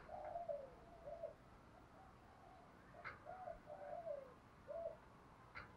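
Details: Spotted dove cooing, used to train and lure other doves: a quiet series of low, hollow coos in short rolling groups with pauses, accompanied by a few faint clicks and background hiss.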